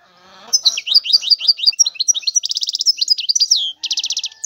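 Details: European goldfinch in full song, a continuous fast string of liquid twittering notes ending in two rattling buzzy trills.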